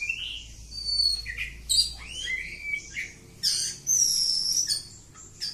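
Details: Oriental magpie-robin, kacer kampung type, in continuous ngacor song. Looping whistled slurs and rising notes give way to loud, buzzy, high chatter, then a clear sustained whistle.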